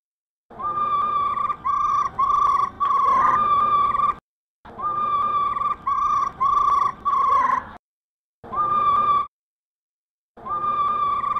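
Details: A female black laughingthrush repeats its rolling 'ro ro' call, used to excite caged birds: groups of even, mid-pitched tonal notes, roughly two per second, interrupted by clean silent gaps.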